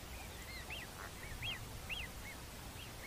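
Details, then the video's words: Pied avocets (Recurvirostra avosetta), several birds overlapping, in a UK field recording: clear, fluty 'kluit' notes arched up and down about twice a second over a low rumble of wind. "Avocet - Bird Song Identifier"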